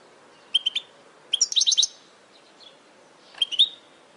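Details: European goldfinch, recorded to train caged birds, delivering short groups of bright, rapid tinkling notes in three bursts separated by brief pauses.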